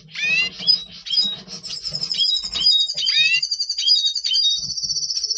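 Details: Red siskin, double pastel colour form, singing before breeding in November 2023: rapid twittering song of chirps and downslurred notes running into a long fast buzzy trill, over a low background hum.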